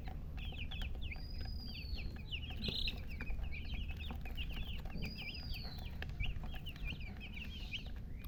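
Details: Baby chickens chirping continuously: rapid high peeps from several chicks, closely packed and overlapping, with brief rustling and a steady low hum in the background.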